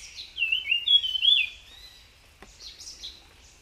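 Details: Short burst of a wild tledekan's song: a rapid run of high, sweet, looping whistles, a brief pause and click, then a few fainter warbled notes.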